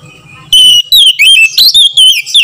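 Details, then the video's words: White-rumped shama lure call meant to spur other shamas to sing: after half a second of low hum, loud clear whistles and quick warbled notes in short rapid bursts. "SUARA PANGGILAN KACER | KACER LAIN SEKETIKA IKUT GACOR DENGAN PANGGILAN KACER INI"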